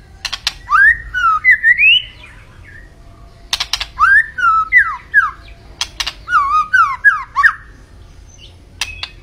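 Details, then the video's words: White-rumped shama (murai batu) song in three bursts: sharp clicks leading into rapid zigzag whistled notes rising and falling, separated by brief silences. "Kicau Burung Murai Batu Gacor"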